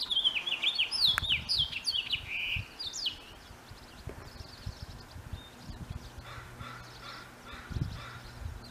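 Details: A male house finch singing in the spring mating season: a quick, jumbled warble of bright slurred notes for about three seconds, then softer fragments over a low background hum.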